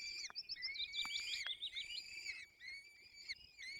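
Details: Peregrine falcon chicks at the nest being fed in Dolina Baryczy, Poland, on 22 April 2024 give thin, wavering, whining calls that rise and fall, repeated in quick overlapping runs with short gaps.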